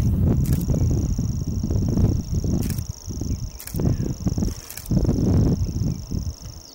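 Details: Grasshopper warbler on a windy day, its song a steady high-pitched insect-like reel running unbroken for several seconds, under heavy low wind rumble and repeated broadband knocks and thuds close by.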